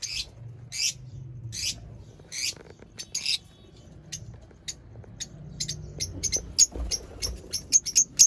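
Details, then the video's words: Lovebird chirping in a home setup: harsh, high chirps, slow and spaced at first, then quickening into rapid, sharper squeaks toward the end, over faint low background hum. "lovebird chirping sounds"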